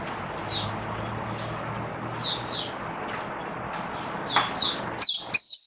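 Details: Caged white-eye kept by a songbird hobbyist, performing its opening song (buka sing): sparse, very high, thin chirps and short downslurred notes, growing louder and quicker near the end, over a faint low hum.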